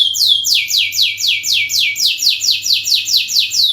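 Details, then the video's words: Canary song meant as a lure: an unbroken run of fast, evenly spaced down-slurred whistles, about four every second, bright and high, over a faint background hum. "masteran burung kenari gacor panjang untuk pancingan"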